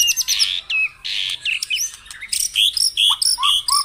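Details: Morning lure song of a white-rumped shama, played to get caged birds singing: harsh, buzzy high bursts, then a fast run of crisp varied chips and short whistled notes repeated in quick succession.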